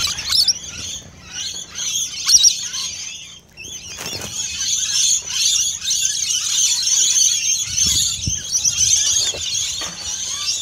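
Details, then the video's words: Rainbow lorikeets feeding at close range, a dense continuous high shrill chatter of many screeching calls, with a brief wing-flap or rustle near the start. "Rainbow LORIKEETS CLOSE-UP FEEDING"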